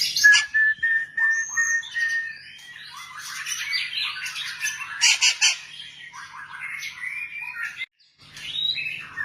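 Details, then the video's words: White-rumped shama, long-tailed: opens with a clear sustained whistle, then tumbles into rapid, varied phrases of rich whistles, chatters and harsh buzzy notes, briefly pausing near the end before resuming, with a low background hum. "burung murai ekor panjang"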